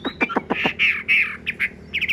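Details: Tame caged Chinese hwamei with a large body, handsome face and blue eyes, singing in its cage. Four quick downward-sweeping notes lead into longer buzzy, rich phrases, then a rapid trio of short slurred notes.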